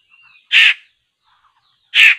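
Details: A laughingthrush (poksay) near a bird-trapping site in Indonesia on a Sunday afternoon gives two harsh, rasping, caw-like notes about one and a half seconds apart, with a faint thin whistle before the first.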